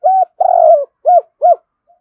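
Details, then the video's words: Spotted dove coo series, Cườm Sa type, used to lure wild doves: a short low coo, then a long rolling coo, then two short arched coos in quick succession, with a quiet room background. "Chim cu gáy Cườm Sa thúc gù gáy gọi đủ bài"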